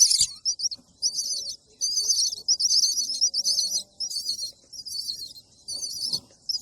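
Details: Baby bird begging for food with rapid, high, scratchy chirp bursts in short runs separated by brief silences.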